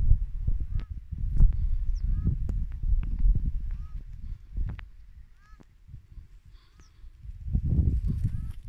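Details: A pair of domestic ruddy shelducks flying around in April give short nasal, goose-like honks, roughly one every second or so, over a heavy low rumble of wind.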